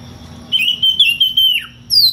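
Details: Magpie-robin calling a rival: one long, even, high whistle held for about a second, then dropping away sharply, with a short higher note at the end over a faint low hum.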